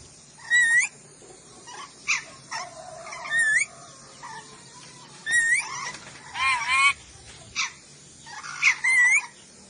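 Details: Ornate lorikeet from Sulawesi recorded for masteran training, calling repeatedly over ten seconds with sharp upslurred shrieks, brief clicks and chatter, and a rolling double screech midway.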